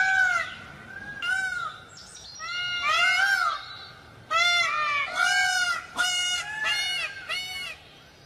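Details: Several peafowl call over one another in loud, ringing, arched wails. Short cries and longer drawn-out ones come in uneven bursts, with a quieter stretch near the start.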